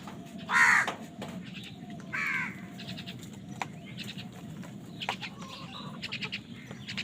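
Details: Crows contesting food: one loud, harsh caw, a second weaker caw two seconds later, then scattered faint chirps of small birds and low background rumble.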